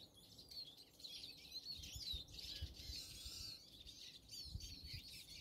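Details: Robin recorded in snowy conditions on 21.01.24: quiet, sweet, high warbling notes weaving up and down through the clip over a muffled low background with a few soft thumps.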